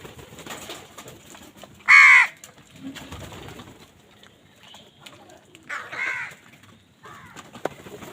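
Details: [['Crow fighting for food: one loud, harsh, ragged caw near the start, then two quieter, shorter caws later, over a faint steady background hiss.']]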